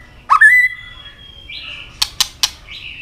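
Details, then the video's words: White-rumped shama fighting song: a rising whistle leading into a long level tone, then a higher whistled note, three sharp tail-snap clicks, and a closing whistle. "chòe lửa chuyền hót đấu nết đập tạch đuôi chắc,kích chòe lửa hót đấu chớm lửa"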